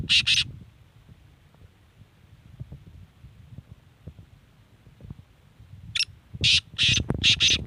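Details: Kala teetar, the black francolin, in Sindh, Pakistan: a harsh double burst opens the recording, then a long stretch of low background rumble before a fresh series of rasping, grating notes near the end.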